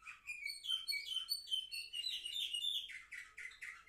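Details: Canary song from seven-month-old Orfey birds, filmed 10 November 2023, with a fast series of high chirps near the start, then rising tones and a rapid rolling trill at the close.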